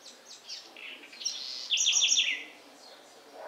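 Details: A house wren singing in the Sertão of Bahia gives a quick, bubbly jumble of high notes, ending in a loud run of about four or five rapid, ringing repeated phrases.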